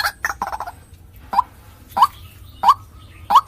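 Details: Used to lure birds, this white-breasted waterhen call opens with a rough stuttering burst, then four short hooked notes, each rising then dropping, spaced about two-thirds of a second apart.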